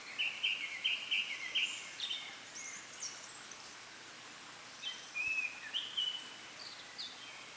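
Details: From the top of a tree, a Japanese thrush sings: a quick run of repeated clear whistled notes, then sliding and warbling phrases after a pause, faint against a quiet natural background.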